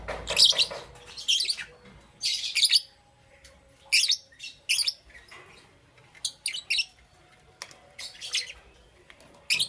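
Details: Green Opaline and Parblue Euwing Green Opaline lovebirds chirping in the morning, shrill bursts of high squeaky notes every second or two, separated by brief silences.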